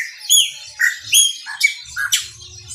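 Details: Chopi blackbird singing a lot: loud, varied, clear whistled and gurgling notes delivered in short separate phrases, with a faint low hum in the background.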